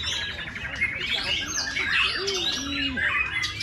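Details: White-rumped shama at a singing contest, delivering isian (filler) material: a dense run of rapid, varied chirps and warbled phrases with a few low, slurred whistles near the end, set among other birds singing at once.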